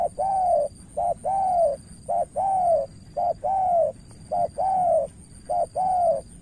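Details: Spotted dove from Cà Mau, Vietnam, a decoy bird calling against a seasoned rival: steady run of soft coos, each short clipped note followed by a longer arched coo, repeated about once a second.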